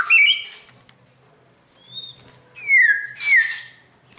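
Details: White-rumped shama being trained for a champion temperament, giving a few clear whistled notes separated by silence, including two loud downward-sliding phrases near the end.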